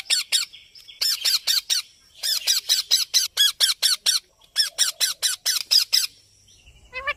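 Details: Ring-necked parakeet, a green talking parrot, giving a rapid string of harsh, screechy squawks at about two per second, in three runs with short gaps, ending in a thin rising whine.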